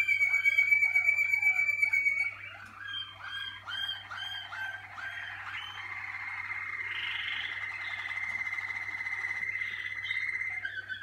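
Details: Malinois Waterslager canary in the singing cabin, early in its training: a loud pure whistled note held for two seconds, then knocking, gurgling phrases, leading into a long sustained trilled tone; a low steady hum underneath.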